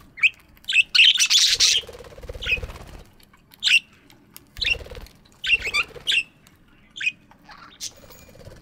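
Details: Morning aviary with chirping budgies: frequent short downward chirps, roughly three a second at times, plus a loud buzzy chatter burst and some low rustling or wing sounds.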